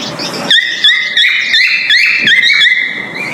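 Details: Whistling male cockatiel calling to mate in the breeding season: a quick string of clear two-tone whistled notes, some dipping then rising, after a brief noisy start.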